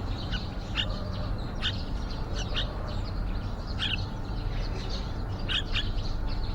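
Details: Nesting yellow-vented bulbuls outside a window, parent with chicks about to fledge; thin, clipped chirps repeat at irregular intervals of roughly one second against a dull low-frequency drone.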